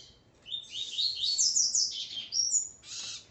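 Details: Double-collared Seedeater male, with his female, delivers a rapid run of high, slurred whistles and chattering notes, ending in a clear sustained high whistle and a brief buzzy note.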